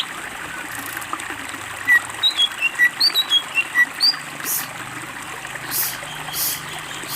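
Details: Greater green leafbird song from a master recording made to train birds: a run of short, bright whistled notes jumping between pitches, followed by a few louder broadband bursts and faint background noise.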